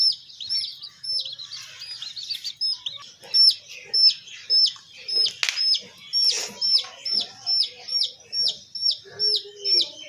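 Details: Baby chicks being raised call with sharp high peeps, jumbled at the start, then a regular series about two per second; a few rustling and scratching noises break in midway.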